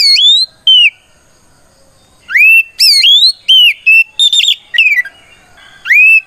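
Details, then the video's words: Ngeplong fighting song of an oriental magpie-robin, meant to lure other magpie-robins into replying: strong whistled notes, a long quiet gap, then a rapid run of rising and falling slurred whistles ending in a buzzy trill and an upswept note. "Suara Burung kacer gacor NGEPLONG tarung ini paling ampuh buat PANCINGAN KACER agar EMOSI Nyaut"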